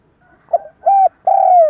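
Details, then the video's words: Spotted dove decoy bird giving a stuttering lure call used in trapping to rouse wild doves: a faint short note, then two low sustained coos, the second longer and sliding slightly downward at the end. "Tiếng cu gáy mồi cà lăm gù - gáy - thúc kích bổi nhanh nổi"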